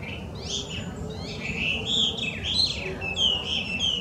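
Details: Chinese hwamei, a wild introduced bird from China listed among Japan's worst 100 invasive species, singing very loudly: a varied run of clear whistled phrases, some slurred upward, others falling, delivered without pause against a low background hum.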